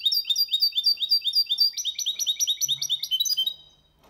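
A goldfinch hybrid sings a fast, bright series of high tinkling, twittering notes, first repeated in even phrases, then shifting to a quicker trilled run before stopping.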